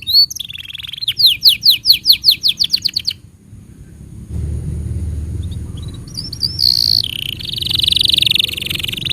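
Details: Canary training song for juvenile and non-singing canaries: about three seconds of rapid downward-sweeping notes in quick succession, a pause, then steady buzzy high rolls with faint low background rumble.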